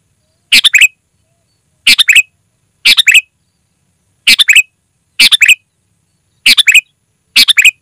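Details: Clear sooty-headed bulbul song for luring wild birds and training caged bulbuls: seven short bubbly phrases, each three or four rapid notes, spaced about a second apart, nothing else audible.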